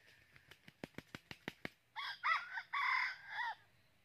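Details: Red junglefowl rooster used as a red-eared decoy for trapping, crowing to lure a wild rival in Vietnam. A burst of rapid wing-flapping thumps, then a short, raspy, multi-part crow.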